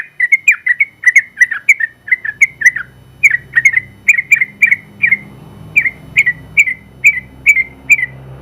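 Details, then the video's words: Yellow-vented bulbul, a first-place winner in the general class, delivering its long 'ropel' song: an unbroken string of bubbly, warbling whistled notes with brief gaps, over soft low background rumble. "Suara Burung Trucukan Gacor ropel panjang ampuh buat masteran trucuk"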